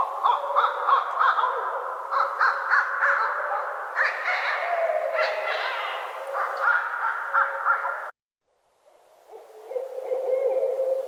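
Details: Two barred owls calling back and forth with a run of weird cackling, hooting sounds: dense, harsh, monkey-like bursts of overlapping notes, a brief silence near the end, then quieter calls resume.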